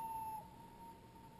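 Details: At a Michigan lake where fish are being caught, a Common Loon gives a long, pure, steady note at one pitch, strongest at the start and then fading, over a faint low outdoor rumble.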